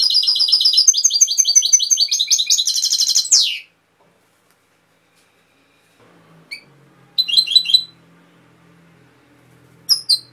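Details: European goldfinch (Cobia Málaga) singing: a fast, tinkling run of high, buzzy twitters for about three and a half seconds ending in a descending slur, then silence, a short twittering burst and a final chirp.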